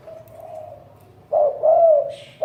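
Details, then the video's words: Spotted dove from a 2020 collection of the finest cooing voices: a faint low hum, then a single loud mellow coo phrase of a short note and a longer wavering note, with a brief higher sound at the end. "Top 10 Tiếng chim cu gáy có giọng gù hay nhất"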